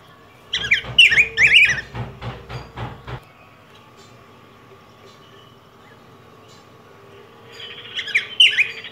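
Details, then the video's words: Yellow grosbeak (Pheucticus chrysopeplus) of Mexico and Guatemala: two or three rich warbled whistled phrases at the start, then a run of rapid clicking thumps, a quiet stretch, and a final short warbled phrase. "Canto Del Pico Grueso Amarillo"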